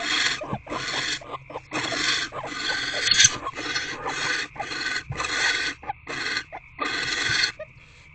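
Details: Harsh rasping barn owl screeches inside nest box C on the evening of 16 February 2024, during a food delivery, bonding and an owlet's activity. About eleven noisy bursts come in quick succession, mixed with soft knocks and scuffling against a constant hum.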